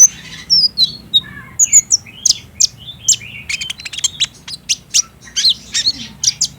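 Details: Sunbird song meant to prompt a captive bird to answer and sing in the daytime: a hurried stream of sharp, high-pitched chips and twittering slurs, densely packed, with a soft low rumble beneath.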